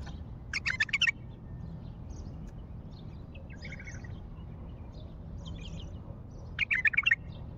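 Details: Wild bulbul from Baghdad singing two short, loud, bubbling warbled phrases, one near the start and one near the end, with softer chirps of other birds and a steady low rumble between them.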